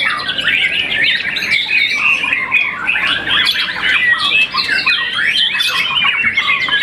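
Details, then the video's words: White-rumped shama, young bird moulted once and a contest champion, singing loud, rapid, tumbling phrases of whistles and harsh chips, continuous and densely packed. "murai batu muda mabung satu kali"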